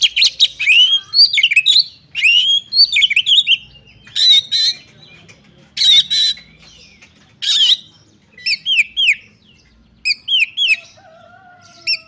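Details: Fighting song of an oriental magpie-robin ('kacer tarung ngobra'): repeated loud whistled phrases with swooping notes, broken by harsh raspy squawks, phrases recurring every second or two, ending with a faint thin whistle.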